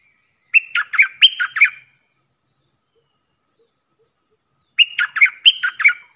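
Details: Caged red-whiskered bulbul used as a decoy bird for luring wild birds. It sings two short, bright, bubbly phrases of four quick warbled notes each, separated by a few seconds of silence.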